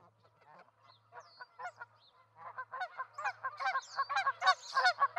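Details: A pair of ospreys at their nest with two eggs in Charlo, Montana, on 08/05/2019: clipped, harmonic notes start sparse, then speed into a rapid, excited run of loud chirps, over a low steady hum.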